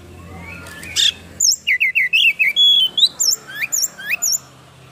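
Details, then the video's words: Kacer in aroused tail-spread display, its song loaded with imitated phrases: after a short harsh note, a run of clear whistled syllables, some rising steeply, over faint low background hum. "PANCINGAN KACER ISIAN FULL BUKA EKOR NGOBRA"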